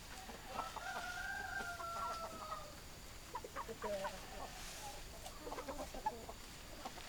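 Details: Rooster crowing among hens: a long drawn-out harmonic crow lasting about two seconds, followed by scattered short clucks and a few squawks, with low background hiss.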